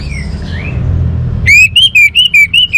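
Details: Orange-headed thrush: after a faint, sliding whistle, a loud run of five or six short, pure whistled notes rocks up and down in pitch over about one second, with a low background hum.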